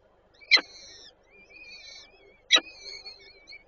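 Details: Nest of peregrine falcons in Warszawa Żerań, Poland, 8 May 2023, with the female feeding chicks: two sharp clicks, each followed by long thin wavering whistled notes.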